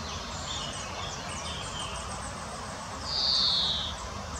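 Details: Female common chaffinch foraging in the Munich Botanical Garden, Germany: a single short, bright call near the end over steady background hiss and faint distant chirps.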